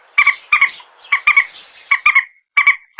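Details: Common moorhen, locally called peruk, mandar or tiung, recorded on a phone: harsh, nasal double and triple notes in quick bursts, repeated about every half second, with faint hiss behind.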